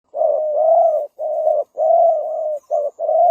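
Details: Spotted dove used as a decoy to lure wild birds, giving a series of low, mellow coos, each note drawn out and slightly rising, delivered in close succession with short gaps between them.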